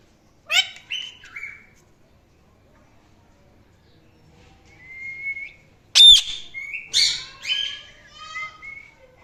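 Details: Indian ringneck parrot, described as cute, calling and chirping: harsh, squawky bursts with bright harmonics and short downslurred chirps in scattered groups, a quiet gap midway, then a louder cluster of rasping notes and thin whistles.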